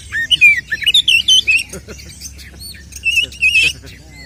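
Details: Oriental magpie-robin singing a combative song to provoke rivals: a string of high warbled whistles, some downslurred, a lull, then a second short whistled phrase over a soft background hum.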